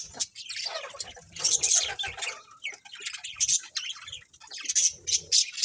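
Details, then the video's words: A budgerigar colony chatters continuously with overlapping warbles, buzzy notes and high sharp chirps, rising and falling in loudness with no real pause, faint low thumps in the background. "Cute Colourful Budgies Chirping Sounds | Budgies Colony"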